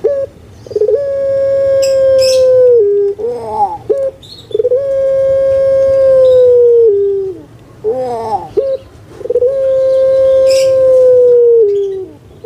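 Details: Puter pelung collared dove, a pet bird, cooing to stimulate lazy birds to call. Three long, flat, drawn-out coos, each about two seconds and dropping at the end, alternate with short rolling gurgles.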